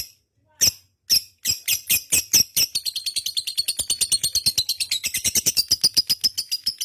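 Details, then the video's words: Lovebird starting a long ngekek. A few spaced, sharp chirps build into a fast, continuous rattling chatter that keeps an even rhythm for several seconds. "burung love bird ngekek panjang gacor"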